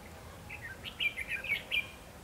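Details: Red-whiskered bulbul acting as a lure bird in a trap set at Hòa Chanh for wild bulbuls, delivering a quick rolling series of liquid, slurred whistles rising and falling over about a second.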